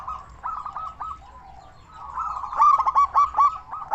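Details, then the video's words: Strong-voiced local zebra dove used as a lure for other zebra doves; quiet stuttering trill at first, then a burst of five or six loud staccato coos near the end. "Perkutut lokal gacor suara besar cocok untuk pancingan burung perkutut supaya bunyi"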